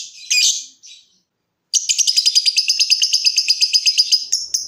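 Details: Caged lovebird trilling: after a harsh squeaky burst and a short pause, a fast steady rattle of high buzzy pulses runs on, used to make other lovebirds trill.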